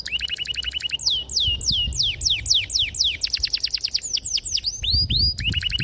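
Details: Canary song used to lure and train young canaries to sing: long loud rolling phrases of downslurred whistles, fast trills and buzzy notes, clear and sharp.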